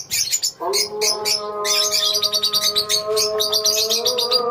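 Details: A colony of lovebirds: sharp, high chirps in quick bursts, thickening into continuous overlapping twittering, with a constant mechanical-sounding hum underneath.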